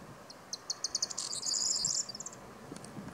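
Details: Corn bunting song, a short, often repeated motif with a rustling, crackling sound. High ticking notes quicken into a dense jingling, scratchy trill that lasts under a second, then tails off in a few spaced clicks.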